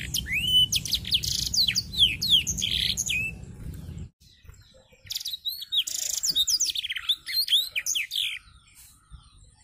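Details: Caged canary learning black-throated canary song, opening its wings while singing; fast tumbling sequence of high sweeping whistles and buzzy trills, with a low rumbling hum underneath during the first four seconds, then a clean second burst of song.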